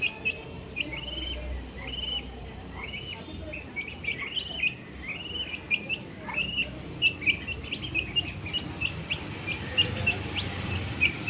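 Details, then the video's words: Baby chickens chirping steadily: repeated high arched peeps, roughly one or two per second, growing denser and sharper toward the end, several chicks overlapping above a quiet low rumble. "Baby Chicks chirping sound | Chicken Sound"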